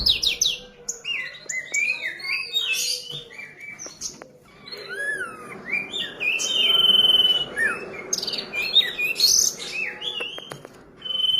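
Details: A young ashy drongo mimicking a common iora, pouring out a dense, varied run of short whistled slurs, rising and falling, with a few longer level whistles and scattered clicks.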